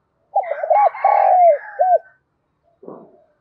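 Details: Spotted dove used as a decoy, cooing to call wild doves in to fight: one low three-part coo phrase, a rough stutter, a long coo and a clipped end note, followed by a brief harsh noise.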